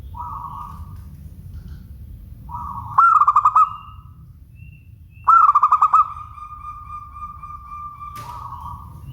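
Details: Zebra dove of local stock singing clearly: soft sustained coos leading into two bursts of rapid, bubbling pulsed notes, the second trailing off in a long even coo, with low rumbling noise beneath.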